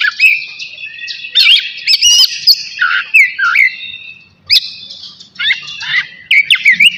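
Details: Oriental magpie-robin of the navy type, kept caged, in full song ahead of its bath: bursts of varied whistles, slurred notes and harsh chatters separated by brief pauses, one quiet gap midway.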